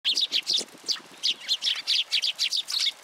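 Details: Sparrows visiting a feeding platform for food at a Tenmangu shrine on 16 February 2023: a dense, busy run of short high chirps, about a dozen in three seconds, tumbling over one another.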